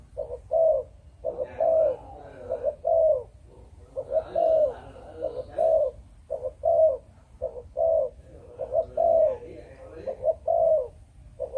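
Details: Spotted dove of Malaysian breeding stock calling in the chụp chụp ô style: a steady series of low, soft coos, short clipped notes alternating with longer falling ones in repeated phrases, with faint background chatter.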